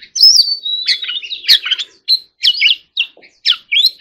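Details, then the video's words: Oriental magpie-robin in fighting song: a rich, varied run of clear whistles, slurred notes and scratchy trills in quick phrases, with short pauses and no other sounds. "choè than hót líu"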